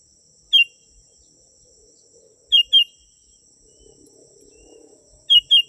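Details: Genuine sooty-headed bulbul recording for luring wild birds: bright, short whistled chirps, one alone and then in pairs, spaced roughly two to three seconds apart, over a steady shrill insect hum.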